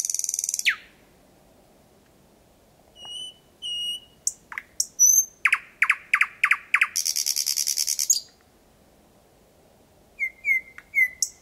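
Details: Thrush nightingale singing close by at night in Estonia on 8 May 2020: a rattling burst, soft whistles, a series of hard chopping notes merging into a long harsh buzz, then quiet pauses and rapid whistled notes.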